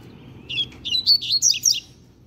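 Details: Double-collared seedeater, a very young bird under a year old, delivering its firm learned song: a rapid string of six high chirped and slurred notes, rising then dipping, in a quiet setting.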